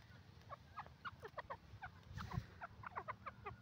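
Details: Francolin (teetar) giving a rapid series of short clucking notes, roughly four per second, fairly even in pitch, over a constant low rumble of background noise.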